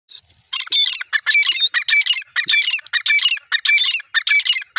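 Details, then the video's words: Kept francolin calling loudly: harsh, rasping squawks repeated in a rapid, uneven series, nearly two per second, with a thin whistled note inside some calls. "my teetar birds beautifull awaz"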